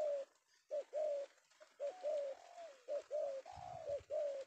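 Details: Captured male spotted dove (tekukur), an afternoon catch from Indonesia sought by lure-bird keepers. It utters soft, low coos in short bursts, one slurred drawn-out note midway, and a brief low thump near the end.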